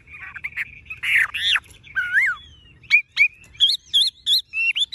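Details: Tame caged Chinese hwamei with golden-yellow legs, bill and plumage, singing nonstop: harsh buzzy notes give way to loud clear whistles, some sliding down, others rising in quick repeated phrases with short gaps between.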